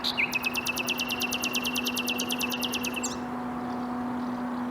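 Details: Nightingale song recorded in Bursa, Turkey, 14 April 2021: one sharp note, then a fast, regular trill of about twenty-five loud broadband pulses lasting three seconds that stops abruptly, over a constant low electrical hum.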